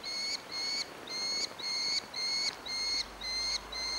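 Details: Orphaned Merlin fledgling in Engerdal, Norway, on 4 July 2011, begging for food: long, flat, nasal whining notes, each about a third of a second, repeated roughly twice per second in a steady series, with quiet background.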